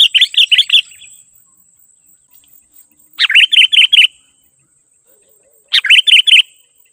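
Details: Sooty-headed bulbul song, a recording meant to call in wild bulbuls: three matching bursts of four to five rapid, mellow, bubbling notes, spaced about two and a half seconds apart, over a faint thin whine.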